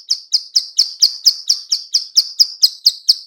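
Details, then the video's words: Female bar-winged prinia clicking call, used to lure birds into answering. Crisp, high ticks repeat at a steady pace of roughly two per second across the whole stretch, clean and unaccompanied. "suara klik- klik betina/ciblek sawah"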